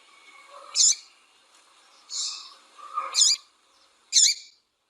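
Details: A female double-collared seedeater calls and chirps to warm up a male's singing. Four quick, bright chirps come within five seconds, mixed with hoarse, lower buzzy notes.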